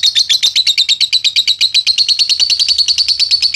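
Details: Young lovebird offered as a tutor recording for training other birds to sing, producing a fast unbroken trill of sharp high chirps, roughly ten per second, steady in pitch and loudness throughout.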